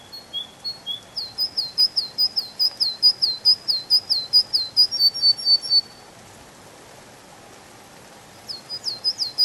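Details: Canary in a spring forest delivers a sustained rolling trill of high repeated syllables for about six seconds, falls silent, then starts another trill.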